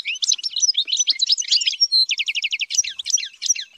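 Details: European goldfinch song from a bird trained for high-pitched singing: liquid twitters, a short pure whistle, then a rapid rattling series of descending notes.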